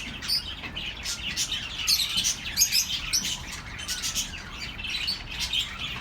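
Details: Many birds chirping together, played to comfort lonely pet birds: dense, high twittering and short squeaky notes overlapping without pause, with brighter peaks near the second and third seconds.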